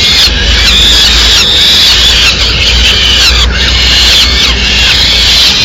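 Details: Mid-morning feeding at a Madrid peregrine falcon nest: chicks demand food loudly as the female brings a small bird; shrill grating squeals in uneven bursts over a faint low hum.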